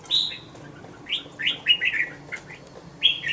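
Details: Young caged red-whiskered bulbul, two months old, giving short bright warbled phrases, some rising then falling, in a loose series of about six bursts over three seconds, with quiet background hiss.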